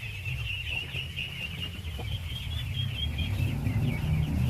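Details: A crowd of thousands of ducklings being fed, giving a dense, continuous high peeping chorus that wavers throughout, over a steady low rumble of background noise.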